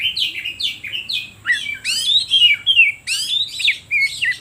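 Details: Oriental magpie-robin song meant to rouse other birds and attract wild magpie-robins: a run of short repeated upslurred whistles, then richer sweeping, slurred phrases, fast and varied, with almost no pauses.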